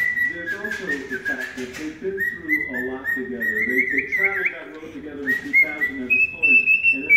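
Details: Cockatiel serenading a foot. Sustained whistles waver and climb in small steps, broken by a quick scratchy burst near the start, and end on a higher, steady whistled note.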